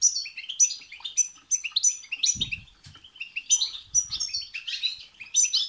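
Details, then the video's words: European goldfinch in batbata and satsata twittering, used to rouse goldfinches to sing; bright chirped phrases repeat about twice a second, each with a sharp high tip, plus a low thud near the middle. "بتبتة وستستة تخرج الحسون عن السيطره..... هيجان خرااافي تسببه هذه البتبتة نار على نار سيغرد حسونك"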